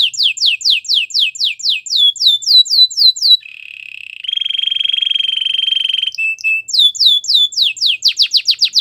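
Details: Rapid falling strokes from a singing canary, song meant to woo other canaries and train them, give way to a long steady buzzy tone on two pitches before the fast strokes resume.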